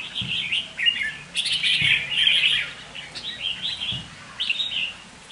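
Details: Red-whiskered bulbul kept as a caged lure bird sings lively bursts of fluty, chattering notes separated by short pauses. Light handling noises are heard in the background.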